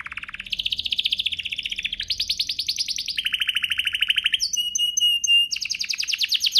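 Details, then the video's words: Canary song for prompting other canaries to sing: continuous rapid trills stepping between pitches, a clear steady whistle with high notes, then a bright fast rattle. "Pancingan ini Berhasil pancing kenari manapun jadi ikut GACOR, Pancingan kenari biar gacor"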